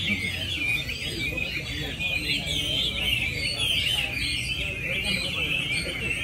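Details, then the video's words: Prize-winning caged Chinese hwamei, number 37, competing in a singing contest at Mỹ Đình, Vietnam, 19 July 2020, pours out bright whistled notes and rapid warbling runs, joined by a dense chorus of other birds and a man talking. "HỘI THI HỌA MI HÓT MĨ ĐÌNH 19/7/2020"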